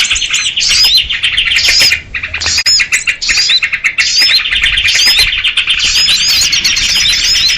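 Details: Sooty-headed bulbuls in a noisy, agitated chorus, known locally as kutilang ribut, used as a lure for trapping small birds: dense high chattering chirps with repeated sharp downslurred whistles, briefly dropping quieter around two seconds.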